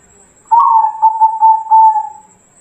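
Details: Zebra dove of a local Bangkok type singing on a training recording meant to set other doves cooing: one sustained mid-pitched coo lasting nearly two seconds, softly pulsing and throbbing, on a quiet background.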